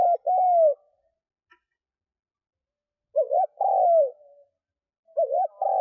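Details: Lure spotted dove calling to draw in wild doves. Low, mellow coos: a long falling note, a pause, then a brief doubled note followed by a longer descending coo, and another phrase beginning. Nothing else audible.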